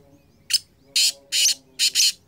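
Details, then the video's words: Kala teetar (black francolin) in 2023 giving a loud grating call: a short clipped note, two longer rasping notes, then a final doubled burst, all harsh and hissy. "Kala Teetar I Balck Francolin I Bular Kala Teetar"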